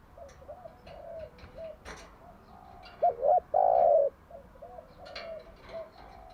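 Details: Spotted dove lure song in the morning: one loud phrase of two hooked notes and a long sustained coo stands out from fainter cooing phrases and a hissy, noisy background with scattered clicks.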